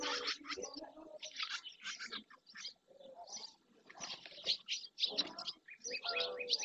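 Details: Dozens of barn swallows, many of them juveniles, gathering at the marsh edge in Doñana National Park, Andalusia, Spain, in early June: dense bursts of high, scratchy twittering chatter with gaps, and some lower tonal notes from other birds beneath.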